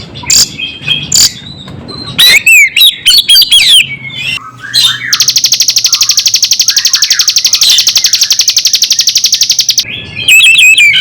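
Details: Bar-winged prinia song joined to Oriental magpie-robin song for teasing other birds: varied slurred whistles and chirps at first, then a long steady run of rapid high ticks, roughly four a second, lasting about five seconds.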